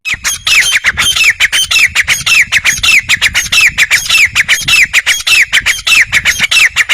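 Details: Rapid, insistent grey francolin call. Rasping notes, each with a bright upward-bending whistle, repeat almost twice a second without a break for seven seconds. Faint low rumble beneath.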